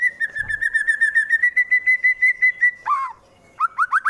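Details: Rival-provoking song of a fighter white-rumped shama from Wonosobo, Central Java: a fast, even trill of repeated whistled notes held for nearly three seconds, a drooping slur, then a rising string of upswept notes.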